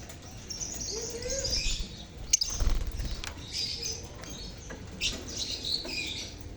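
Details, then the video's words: Lovebird colony chirping, used as a lure to prompt silent lovebirds to sing: scattered high, scratchy chirps in short bursts over a steady low rumble, with a sharp click near the middle. "Pancingan Suara Lovebird Koloni untuk pancingan lovebird bisu"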